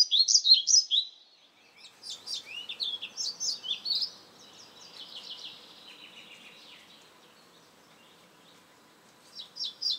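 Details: European pied flycatcher with a loud burst of sharp, high notes, then a longer run of softer, tumbling twittering notes that fade to near silence before a few bright notes return at the end.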